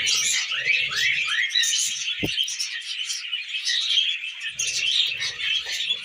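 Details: Tame budgerigars kept as pets chatter as they eat millet, a steady stream of rapid twittering, rising squeaks and buzzy notes from several birds, with a sharp click near the middle and soft low rustling.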